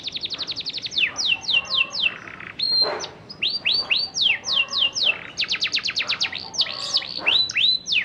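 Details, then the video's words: Young canary learning to sing, used to stimulate other canaries to join in: continuous song of rapid rolling trills of descending whistled notes, repeated about four times a second, alternating with swooping, slurred phrases. "PANCINGAN KENARI PAUD BELAJAR BUNYI NGEROL SANGAT AMPUH UNTUK MERANGSANG KENARI BAHAN AGAR IKUT BUNY"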